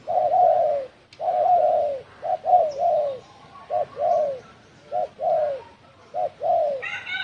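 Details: Spotted dove cooing in the đồng thổ sấm style, used to provoke other birds: low, hooting coos in short groups of two or three notes, the longer notes sliding slightly downward, phrases repeated with short pauses; faint high chirps near the end.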